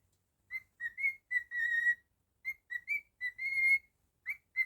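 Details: Male cockatiel at home whistling a melody: clipped notes followed by a sustained even whistle, the pattern repeating with slight upward inflections, clean and quiet around it.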